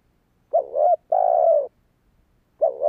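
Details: Cooing of a spotted dove meant to rouse a decoy bird: one low two-note phrase, brief wavering coo then a drawn-out steady coo, with the next phrase beginning just after.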